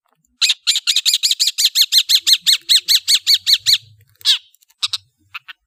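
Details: Long-tailed shrike chattering song: a fast run of about fifteen harsh, buzzy, evenly spaced notes, then a scratchy rasp and a few short sharp chips, on a quiet background.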